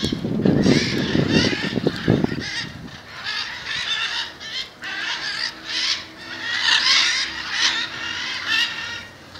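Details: Macaws gathering in front of a house in Jaumave, Tamaulipas, Mexico, in February 2015; harsh, raucous squawks overlap repeatedly in bursts, with low rumbling noise early on.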